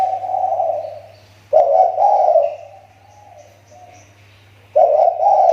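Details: Lure-bird spotted dove from Riau Islands, Indonesia, calls in loud hollow coo phrases separated by a quieter pause of about two seconds, with faint high tones and a low hum in the background.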